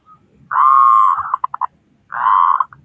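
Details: Local Indonesian zebra dove singing loudly, a recording meant to prompt other doves to sing: a long steady low coo, then a short run of quick clipped notes, and the long coo begins again after a pause.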